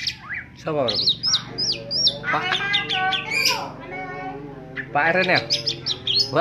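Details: Greater green leafbird singing in the ngentrok style, pouring out loud varied whistles, quick falling sweeps and ringing harmonic notes in dense bursts, with a low steady hum and some voices in the background.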